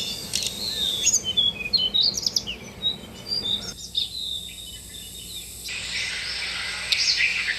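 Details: Tickell's blue flycatcher at a bird bath: high, thin chirps and short sweet notes scattered irregularly, with an abrupt drop in background hiss midway and steady high-pitched noise behind.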